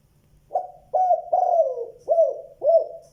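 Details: Spotted dove calling, its voice described as a fine 'giọng đồng' (bronze voice) of the 'tiếng 2 hậu lỡ' style; five low hollow coos in quick succession, the middle one longer and falling, with a faint background hum.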